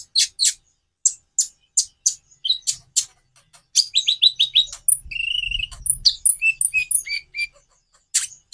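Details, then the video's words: Konin sunbird song variations: fast sharp chips repeated at a steady pace, then a rapid series of short descending whistled notes and high twitters, with faint low background noise. "Variasi kicau burung Konin"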